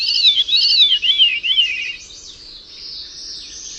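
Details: Bird giving a rolling, warbled song of looping whistled notes that rise and fall, followed by a quieter stretch of faint high twittering.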